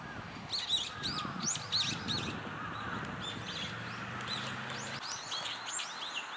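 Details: Brown-eared bulbuls (Hypsipetes amaurotis) swallowing cherries whole, giving a busy run of sharp, high overlapping chirps and squeaky notes over a low steady hum.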